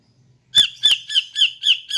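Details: Female greater green leafbird calling in the morning, a sound used to lure males: six harsh, squawky notes, each falling slightly, repeated about every quarter second after a brief soft low hum.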